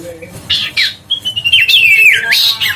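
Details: Huyt co bird, a recording used to stir birds into singing: slurred whistles gliding up and down, with short harsh squawky notes before them and a long wavering whistled phrase near the end.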